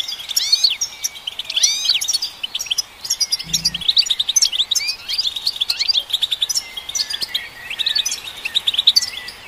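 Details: European goldfinch song played to stimulate caged goldfinches: fast, dense twittering of short chirps and rising-falling notes, with occasional buzzy slurs, continuous and jumbled; one low thump midway.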